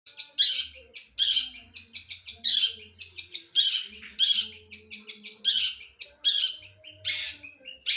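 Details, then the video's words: Long-tailed shrike singing the song material called "sambung tengkek boto": rapid bursts of harsh, scratchy high notes repeated about twice a second, with short twittering phrases between them and a faint low hum underneath. "Materi unik sambung tengkek boto ngeban2"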